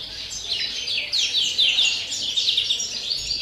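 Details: Greenfinch in pure wild-style singing, 30 December, delivering fast twittering trills with sweeping rising and falling notes, bright and high, phrases running together without pause.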